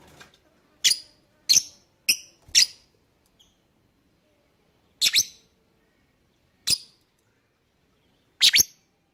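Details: Lovebird calling in a lure recording used to set other birds singing: sharp, piercing single chirps, four in quick succession, then three more spaced about two seconds apart, with silence between.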